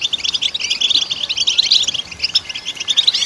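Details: European goldfinch song meant to stimulate goldfinches, a dense, fast run of bright chirps and liquid trills, high-pitched and steady, with one drawn-out thin note near the middle.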